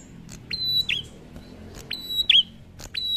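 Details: Prinia in ngalun song, said to set other prinias singing; two full phrases of a flat high whistle ending in a dropping slur, framed by sharp clicks, over a noticeable low rumbling background.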